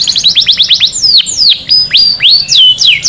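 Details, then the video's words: Canary song used to stimulate males and instruct chicks: rapid descending whistled notes, then slower, sweeping slurred whistles rising and falling. "صوت تغريد كناري خرافي لتهيج ذكور الكناري على التغريد والتزاوج وتعليم الفراخ"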